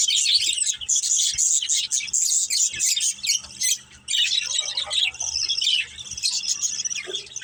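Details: Pet budgies, a playful family flock, produce rapid high chirps and scratchy warbles, with occasional squawks and a short quiet gap midway before the chatter returns.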